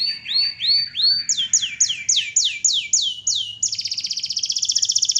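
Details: Canary singing loudly as a masteran training recording: a run of repeated swooping whistles, first lower then higher, followed by a fast, even, high trill.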